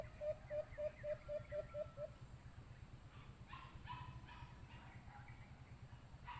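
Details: A white-eared brown dove call, played from a Bluetooth speaker as a lure during bird hunting, is a quick run of about eight low, hollow hoots at roughly four a second, then silence. Rustling bursts and steady background hum follow.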